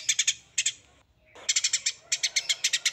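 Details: Songbird in a masteran training recording: short groups of harsh, clipped notes, a brief silence, then a fast rattling series of buzzy pulses in tembakan style.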